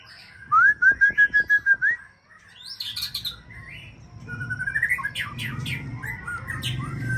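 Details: Champion breeding White-rumped shama, Aceh type, singing a rapid run of eight loud level whistles, then a pause and varied rising whistled and chattering phrases over a low background rumble.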